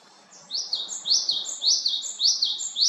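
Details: Japanese tit in Haenam, South Korea, giving loud, ringing two-part phrases in quick, regular succession, roughly five in under three seconds.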